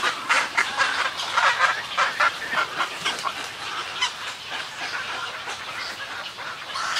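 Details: Snowy egret colony giving colony calls and greeting calls: a dense, continuous chorus of harsh, croaking calls from many birds overlapping in rapid, irregular bursts, with no quiet gaps.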